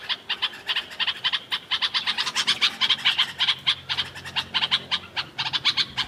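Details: Bulbul calling outdoors: a steady stream of sharp, harsh chirps repeated several times a second with only short breaks, sounding busy and scolding.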